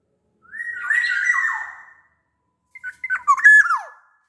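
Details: Black-naped oriole from Sumbawa, a larger-bodied local form, singing: a sustained fluty whistled phrase sliding downward with a harsh edge, a pause, then a second choppy phrase of clipped notes ending in a falling slur.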